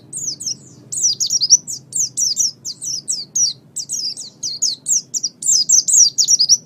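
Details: Oriental white-eye (pleci) song used as a master recording for training pet songbirds: rapid high-pitched twittering phrases of sharp down-slurred and wavering notes, delivered in quick bursts with brief gaps throughout.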